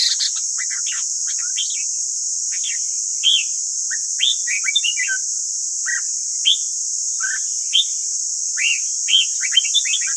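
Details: Red-whiskered bulbul singing for voice training of caged birds: scattered short warbles and chirps through the clip, some in quick pairs, varied in pitch, against a steady background hiss.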